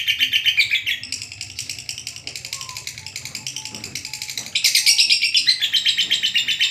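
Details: Lovebird long ngekek chattering from a training recording: bursts of rapid, shrill buzzy notes, quieter in the middle with faint tapping, then a loud, high, fast chatter again from about four and a half seconds.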